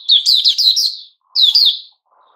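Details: Recorded 29 August 2021, a white-rumped shama delivers two loud phrases of quick, descending whistled notes, each ending abruptly in silence, with a faint hum after the second.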